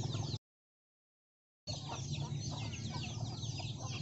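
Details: Hens and numerous chicks eating young rice that farmers provide; busy high chick peeping and low clucks, broken by a silent gap of about a second before the chorus resumes.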